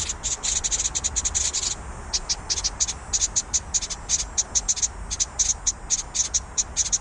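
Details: House wren nestlings on fledging day give harsh, high raspy begging notes in rapid bursts, several per second, with brief pauses between runs.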